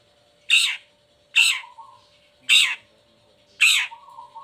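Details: Long-tailed shrike uncovered in its cage, a lure for moulting or lazy shrikes: four loud grating squawks, about one per second, each trailing into a short flat whistle.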